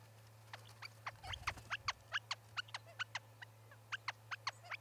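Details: Small birds visiting an osprey nest in Charlo, Montana, on 8 October 2017: a series of sharp, high chip notes, roughly two to three per second, irregularly spaced, over a steady low hum.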